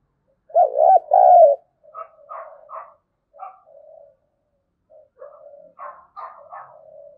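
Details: Spotted dove thúc gù cooing in a local field-style voice, used to draw wild doves into calling back: two strong low coo notes, followed by softer broken, gurgling coos trailing off.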